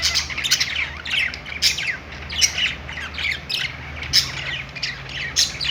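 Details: Noisy budgerigars on a pet-store perch: clipped squawks and bright tweets repeated in rapid bursts, scratchy warbles between them, many voices overlapping above a faint low hum.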